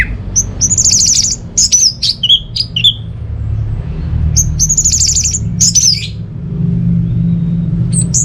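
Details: Orange-headed thrush singing, meant to lure silent birds at home into song: high buzzy trills mixed with short sharp whistled notes in two clusters, separated by a quieter gap.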